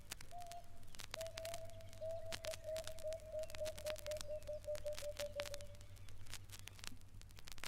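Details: Emerald-spotted wood dove in East Africa gives a soft, low hooting series of about fifteen notes, spaced at first then quickening and falling slightly, over background clicks and hum.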